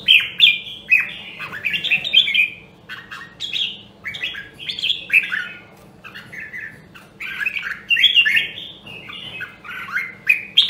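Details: Nam Dong, Hue red-whiskered bulbul singing in voice training: repeated warbled phrases of bright slurred notes, each lasting about a second, separated by short pauses, with faint background hum.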